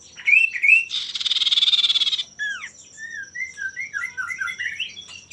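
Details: Common iora male, played to goad rivals into singing, opens with two rising whistles, then a buzzy pulsing rattle lasting about a second, followed by a string of short upward-slurred whistles; a steady high tone persists.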